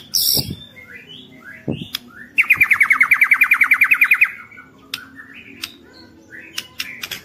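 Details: White-rumped shama lure song to excite other shamas, with a harsh note, soft whistled slurs, then a rapid even trill of some twenty pulses and trailing quiet whistles and clicks.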